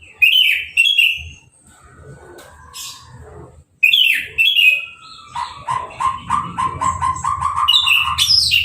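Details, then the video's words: Recently moulted caged orange-headed thrush singing after a hose bath, no cover. Scratchy rising phrases, a quieter pause, then rapid chattering notes in a fast run, over a low rumbling background. "Anis Merah Sehabis Mabung Mandinya Disemprot Selang , Gak Pakai Kerodong , Bisa Langsung Berbunyi"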